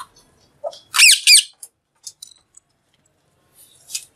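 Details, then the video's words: Caged green Alexandrine parakeet eating and talking; two loud piercing shrieks in close succession, separated by near silence from faint chirps and one last shrill note. "Green Parrot Talking | Talking Parrot Eating"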